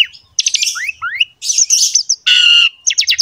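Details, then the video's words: An Asian pied starling sings a fast, varied medley of rising whistles, rattling clicky trills and a harsh buzzy note in quick bursts, used as a tutor and lure recording for young or wild-caught starlings. "MASTERAN BURUNG JALAK SUREN GACOR"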